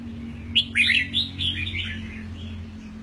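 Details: Caged red-whiskered bulbul aged eight months, fresh from moulting, singing a rich, bubbling phrase of rolling notes that gradually fades away, over a low steady hum.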